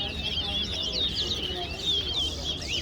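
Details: Seed finch known as towa-towa in a Guyana singing contest at the National Stadium, two birds pitted against each other; quick high warbling runs of looping whistled notes pour out almost without pause, low background rumble beneath.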